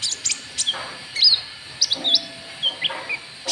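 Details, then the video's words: Rival-luring call of a white-cheeked bulbul: bright, brief chirps and falling whistled notes in loose clusters, some slightly buzzy, with a steady background hiss. "Suara Pikat Burung KONIN TROTOL , Ampuh Buat Pancing Lawan"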